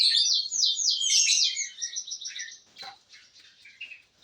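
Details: Canary of the F2SF type singing: fast rolling trills of rapid repeated notes high in pitch, shifting into a steadier buzzy trill and then scattered short chirps.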